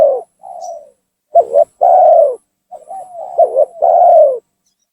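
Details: Spotted dove (tekukur) lure call used to draw down and provoke rival doves: loud two-part coos, a short dipping note then a long falling coo, repeated about every two seconds, with softer quieter coos between.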